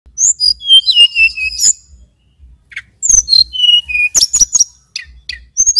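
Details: Male mountain tailorbird from Banyuwangi in full, energetic song: high thin whistles sliding downward in short phrases, mixed with sharp rapid chips, a pause midway, then a fresh burst of whistles and chips.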